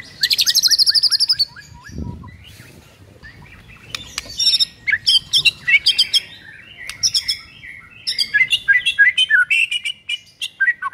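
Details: Lure recording of white-rumped shama song meant to set a silent bird singing: a loud rapid trill opens, then a long run of varied sharp whistles, chips and buzzy notes delivered in dense, uneven bursts, with a brief thump early on.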